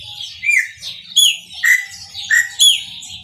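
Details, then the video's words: Maranhãozinho-style song of a chopi blackbird: ringing whistles that slide downward, then a sharp upswept note, with pauses between phrases and a constant high twittering behind. "PÁSSARO PRETO MARANHÃOZINHO CANTA MUITO"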